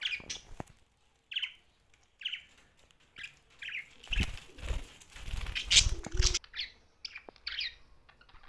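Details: Young budgerigar giving short, high chirps in spaced bursts, some with a slight upward sweep. A loud burst of wing flapping and rustling fills the middle of the recording, then the chirps resume.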